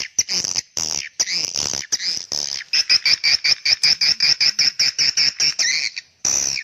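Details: Swiftlet call meant to attract young swiftlets: harsh buzzy chirps that give way to a steady series of short, clipped high chirps, about two or three per second, and end in a longer rasp.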